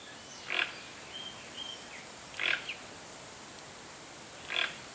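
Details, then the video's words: Toco toucan, the largest toucan species in Brazil, giving three harsh, rasping croaks spaced about two seconds apart, with thin high whistles from other birds in between over a steady background hiss. "Canto do Tucanuçu (Ramphastos toco), Toco Tucano"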